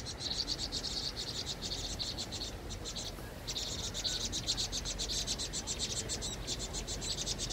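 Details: Vinous-throated parrotbill distress calls while under attack by a Eurasian jay: rapid, continuous high-pitched shrill notes repeated almost two per second, briefly broken before resuming, with a constant background rush and a voice speaking.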